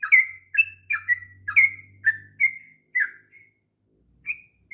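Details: Sooty-headed bulbul rolling song, used to tutor young birds, trailing off: a handful of slurred whistled notes at first, then sparser single whistles with pauses, over a faint low hum at the start.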